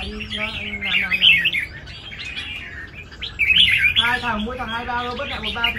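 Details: Red-whiskered bulbul singing at a large songbird contest arena: bright chirpy phrases and quick warbled notes in bursts, with low harmonic tones and voices murmuring in the background.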